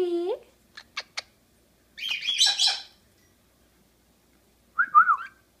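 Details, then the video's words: Indoor pet Monk parakeet (Quaker) talking: a clear tonal opening note, a few sharp clicks, a burst of raspy squawking, then a short wavering chirped phrase near the end amid quiet room background. "Quaker talking"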